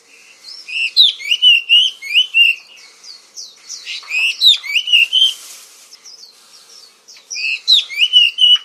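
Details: Kacer, the oriental magpie-robin of Indonesia, delivering a varied song of loud slurred whistles and sharp chips, phrases of rapid notes around three seconds long separated by brief quieter pauses.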